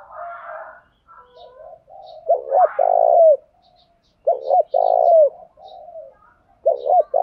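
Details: Morning decoy call of a spotted dove set out to provoke males: three repeated phrases, two short coos and a drawn-out rolling coo falling at the end, separated by soft chattering bird sounds.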